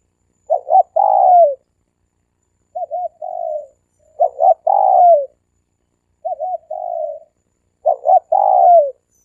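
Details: Decoy dove giving repeated three-coo phrases, about every two seconds: loud phrases of two clipped notes plus a long falling coo alternate with softer, shorter coos. No other sounds.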